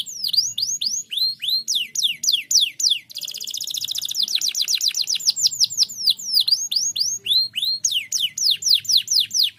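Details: Canary of the kenari pocong type singing continuously, used to prompt lazy birds to sing: loud, clear whistled notes sweeping steeply down and up, repeated three to four times a second, with a fast rolling trill near the middle.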